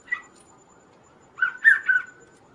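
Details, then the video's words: Kaso-kaso bird, recorded as a master song and lure for other birds, giving a short chirp followed after a pause by a run of three quick, looping whistled notes. "suara Burung Kaso-Kaso gacor"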